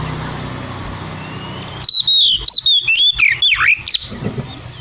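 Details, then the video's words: Oriental magpie-robin bursting into loud, rich whistled song with sweeping, slurred and dropping notes after a quiet start with low mechanical hum; meant to provoke other magpie-robins into answering. "kapan pun kacer lain pasti bunyi dengar siulan kacer ini buktikan langsung nyaut gacor"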